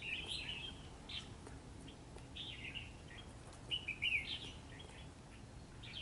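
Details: Red-whiskered bulbul fighting a trap bird on a cold rainy day: sharp, sweet chirped phrases at the start, then again near the second and fourth seconds, the last burst loudest, over a hissy background.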